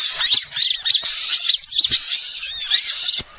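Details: Lure recording of small birds meant to draw in wild birds for trapping: high, piercing twittering with quick slurred notes, continuous and fairly even, fading at the end.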